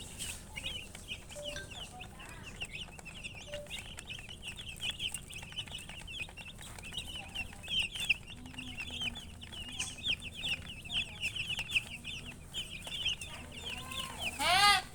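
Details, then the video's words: Long stretch of baby chicks chirping, a dense ongoing chorus of high quick peeps with occasional lower squeaks, ending in a loud sweeping rising call close by, over a constant low hum. "Baby "Chicks Chirping" Sound"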